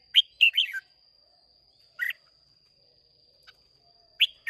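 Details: Red-whiskered bulbul, wild-caught and of Hoa Binh origin, in contest song on 30 May 2023, gives a loud, rapid warbled phrase, then short separate bursts of chirpy notes about two seconds apart.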